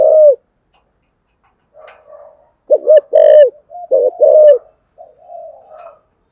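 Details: Spotted dove used as a decoy, cooing to lure wild doves: deep arched coos around mid-low pitch, several rough notes then a loud paired coo, separated by short silences and quieter murmurs.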